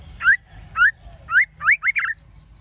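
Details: Female white-rumped shama singing to stimulate males: three rising whistled notes about half a second apart, then a quicker run of curving slurred whistles, with a low hum beneath.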